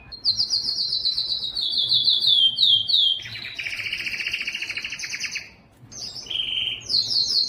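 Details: Yellow canary delivering a high trill of falling notes, then a dense lower rolling tour, a brief silence, and a final burst of high trilled phrases.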